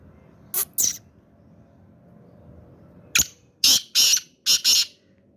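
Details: Sindhi black francolin, described as sweet-voiced, calling in harsh, broadband rasping notes: two short notes, a pause of about two seconds, then a rhythmic phrase of five loud grating syllables, the middle ones longest.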